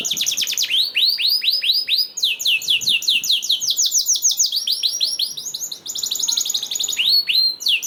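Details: Canary song intended to make other canaries sing along: continuous fast trills of down-slurred notes, phrases changing pace and pitch across several bursts.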